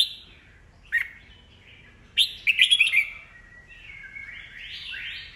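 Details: Red-whiskered bulbul, an old wild-caught cage bird, singing to stir rivals into competitive song; a sharp chirp, then a fast burst of rich warbled notes, followed by trailing whistles and rising sweeping sounds.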